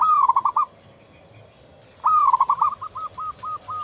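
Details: Local zebra dove singing actively: a quick burst of rolling, cooing notes near one pitch, a short pause, then a longer run of trilled coos that breaks into evenly spaced, clipped notes.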